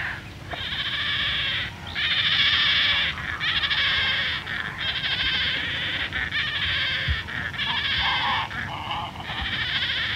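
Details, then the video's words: Painted stork fledglings give a near-continuous chorus of harsh, nasal, bleating calls in overlapping bursts, with more storks calling in the background and distant water birds. "Painted Stork. Calls Of Fledglings"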